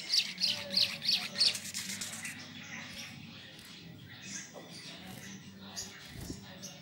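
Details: Sunbird song for drawing out rival birds: a rapid run of five bright, high ticking notes about three per second, then the voice fades into a dense hiss of softer chirps and low room rumble.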